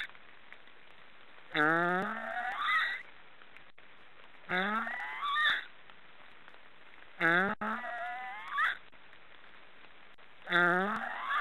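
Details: Four snoring calls from black storks, spaced roughly three seconds apart, each a wheezy rising hum that breaks upward into a short squealing note, with soft hiss between.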